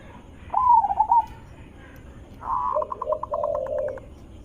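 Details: Zebra dove, a loud, melodious lure call meant to make other zebra doves respond. A rolling warbled phrase, a pause, then a rapid run of clipped notes over a lower burbling coo.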